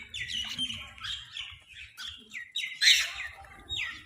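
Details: Several crows contesting food: a busy run of short, hoarse squawks and chattering notes, overlapping and irregular, with one louder harsh burst near the end.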